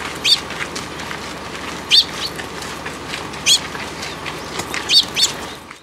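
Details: Sparrow fledglings visiting a plum tree at a Tenmangu shrine to be given food, 30 June 2022: brief piercing chirps about every one to two seconds, some doubled, above a constant background hum.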